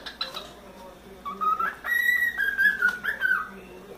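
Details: Pet cockatiel, a four-month-old male, whistling while he plays in his playground: a sustained, wavering whistle that climbs and then holds steady, after a few soft, scratchy notes.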